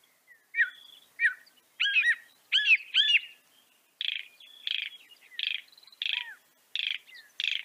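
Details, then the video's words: Northern mockingbird singing: a few sharp notes, then a trio of loud forked phrases, followed by a steady series of short buzzy chirps repeated about once every three quarters of a second. "Veja o canto do pássaro, ave zombeteira"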